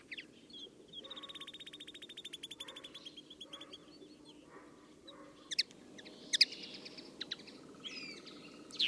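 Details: Common linnet (Linaria cannabina) song: a rapid twittering run of dry trills and buzzy notes, then sharper scattered chirps over a low background hum.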